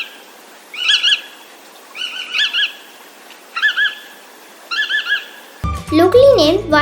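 Bar-tailed Godwit giving four short bursts of two or three nasal, yelping notes about a second apart; music and a voice follow at the end.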